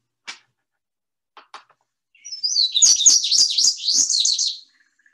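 A few soft chips, then an Indigo Bunting's bright, high song: a quick two-second run of sweet notes, many of them paired, falling and rising.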